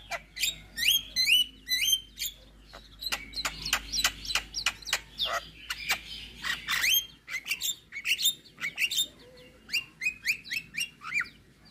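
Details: Javan myna in full 'isian' song, meant to make other mynas answer: rapid series of sharp chirps, then a burst of dense, rising buzzy and scratchy notes, ending in evenly spaced clipped whistles.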